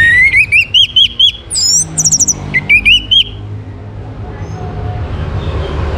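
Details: Orange-headed thrush (Geokichla citrina), in Singaraja, North Bali, used as a song lure to prompt other birds to sing: about a dozen quick, slurred rising whistles with a few higher sharp notes over three seconds, then steady traffic rumble.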